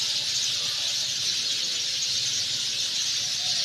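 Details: Sind sparrows in their nests among garden trees at evening as day ends, giving a dense, continuous high chirping chorus with no pauses, many birds calling at once.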